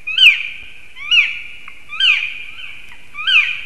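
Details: Black woodpecker calling loudly at a black stork nest in Sigulda municipality, Latvia, on a March morning, 9:55 am, possibly defending territory. Four ringing, downward-slurred cries, each about a second apart, over a quiet background.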